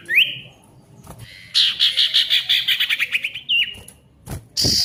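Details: Ashy tailorbird song, used to restart silent tailorbirds: a clear whistle rising to a level note, then a rapid run of repeated buzzy notes slowly falling in pitch, ending in a short upslurred whistle and a harsh burst.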